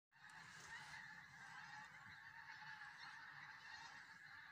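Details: Large flock of geese on the Solway Firth at Southerness, Dumfries, southern Scotland, giving a dense continuous chorus of overlapping nasal honks with no breaks.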